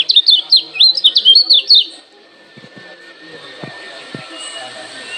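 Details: Lemon-bellied white-eye from Lombok, a challenging call meant to provoke other birds to answer: a quick burst of high, thin, zigzag chirps for about two seconds, then faint background hum and a few soft knocks.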